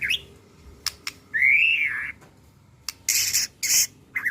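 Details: Murai batu ('pastol' type), the white-rumped shama, in a lure recording to provoke other birds: a long arched whistle between sharp clicks and loud, harsh, rasping bursts.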